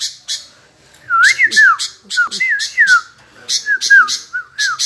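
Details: A sooty-headed bulbul keeps answering without pause, giving a run of clear liquid whistled notes that swoop up and down in short rolling phrases, interleaved with scratchy, buzzy bursts of sound.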